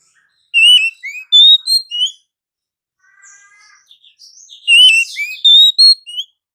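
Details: Oriental magpie-robin singing in the morning: bright whistled phrases of rising and falling notes in two bursts, separated by a quieter stretch of softer, lower warbling.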